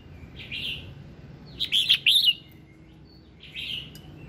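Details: Red-whiskered bulbul with its morning song for prompting other birds to sing: a soft note, then a loud run of rapid warbled whistles, and another soft note at the end.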